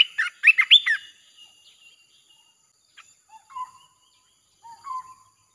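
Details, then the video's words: Red-whiskered bulbul lure song: a loud opening flurry of sharp warbled chirps, then quieter, lower sliding whistles spaced about a second apart. "เสียงนกกรงตาแดงEp.158 สับไม่หยุด!! เปิดล่อนกป่าเข้า100%"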